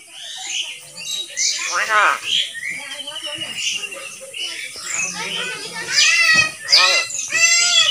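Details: Common hill myna, one of a talking pair known to say phrases such as 'I will drink water' in Bengali, producing speech-like mimicry: bursts of harmonic, voice-like syllables mixed with loud rising and falling whistles, strongest near the end.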